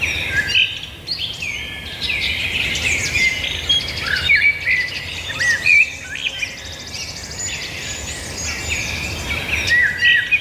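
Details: Continuous birdsong from many singers, overlapping chirps and short whistled notes rising and falling across more than ten seconds, busy and bright throughout.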